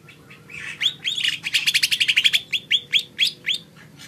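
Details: Short burst of lesser green leafbird song: a cluster of rapid, slurred twittering notes accelerating into a dense trill, then several clear, spaced upward chirps.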